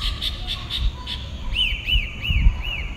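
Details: Single pale-breasted thrush singing at dawn in southeastern Brazil. A row of short, even, pulsed notes is followed by four clear, arching whistles evenly spaced, with low rumble behind.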